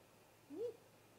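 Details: Great grey owl, one of a pair visiting the nest snag in late afternoon: a single short whistled note sliding upward, then quiet background.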